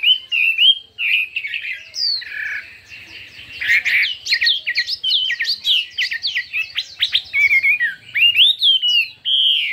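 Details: Chinese hwamei singing in a contest, fiery and varied: mellow whistles, then rapid clusters of sharp, steep notes, with a faint low rattling hum underneath.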